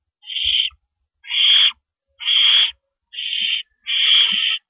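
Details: Owls in a nest around 4:30 AM on April 4, 2012, with rabbits being brought in. Five long, raspy hissing screeches, evenly loud, are separated by clear silent gaps of about half a second.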